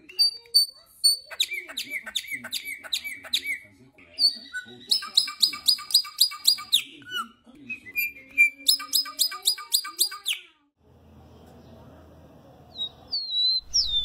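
A Chopi Blackbird sings loud, varied whistled phrases built from rapid runs of repeated high notes and slurred squeaks. The song breaks off into a few seconds of low noise.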